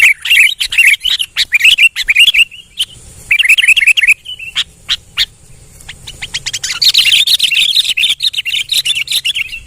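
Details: An actively singing sooty-headed bulbul pours out quick chattering phrases of bright warbled notes, pausing between runs, while sharp ticking clicks punctuate the gaps and the song resumes strongly at the end.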